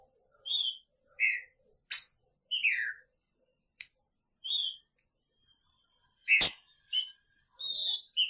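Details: Caged green-winged saltator kept with its female in the same cage, giving short whistled phrases with strong harmonics, some slurring downward, spaced about a second apart, with a few sharp clicks between.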